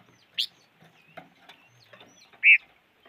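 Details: Bird making a sharp high chirp followed two seconds later by a louder, fuller chirped note, with faint scattered twitters around them.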